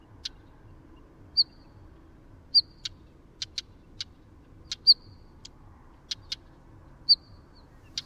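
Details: Northern wheatear giving sparse, sharp clicking notes and brief high whistles, scattered irregularly about every second over a quiet background with a low hum.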